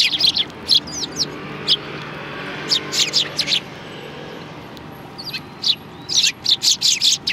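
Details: Sparrows arriving to be fed at a Tenmangu shrine on 16 January 2020: scattered short, high chirps in small bursts, with quiet gaps between clusters and a livelier run of closely spaced notes near the end.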